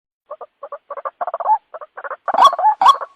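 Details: White-breasted waterhen lure call, used to attract birds by day and night; irregular bursts of short croaking, doubled pulses that build into louder, harsher notes toward the end.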